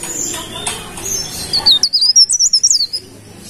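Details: A golden-bellied gerygone sings energetically: a clear series of about a dozen very high, sweet, wavering whistled notes delivered rapidly over a second and a half, after a murmur of background noise.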